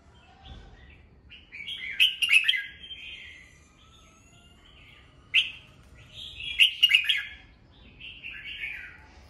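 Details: Morning singing of a captive red-whiskered bulbul for voice training: two loud whistled, chattering phrases about four seconds apart, each followed by softer slurred warbling.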